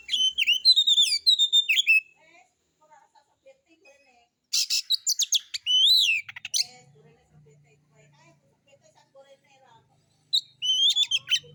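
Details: White-rumped shama lure song in three bursts of rapid whistled and buzzy notes separated by quiet gaps with faint low chatter and a soft hum.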